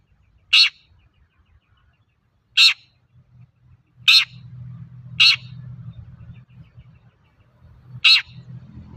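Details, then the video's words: Long-tailed shrike lure calls meant to get other shrikes singing: five brief, rasping notes at uneven gaps, with a low humming rumble building in the background. "Suara burung cendet gacor untuk pancingan cendet bahan"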